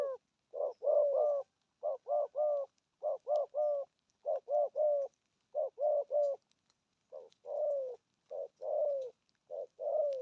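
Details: Spotted dove 'thổ âm' cooing: repeated triplets of low mellow coos at a steady pace, later giving way to longer falling coos; faint ticking sounds in the background.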